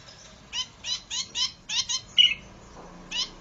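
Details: Zitting cisticola recording used as a trapping lure and training song, giving sharp, high, scratchy 'zit' notes repeated roughly every third of a second in short bursts, with one brief clear whistled note among them.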